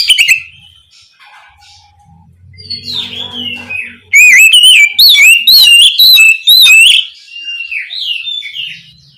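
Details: Oriental magpie-robin (kacer) calling its companion: after a quiet opening with faint low hum, a loud run of rapid whistled and chattering notes from about four to seven seconds, then softer trailing warbles.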